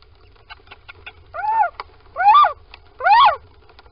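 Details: Morning at a little owl nest box in Sprundel, February 2020, as both owls go inside: three loud arched, mewing calls roughly every 0.8 seconds, preceded by soft rapid clicking and ticking sounds.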